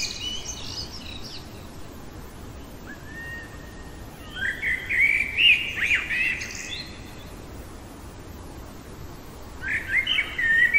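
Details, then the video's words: Midnight song of a common blackbird: a soft, low whistled note, then a rich warbled phrase with squeaky high endings, a long pause, and another fluty phrase starting. "Merle chantant au cœur de la nuit"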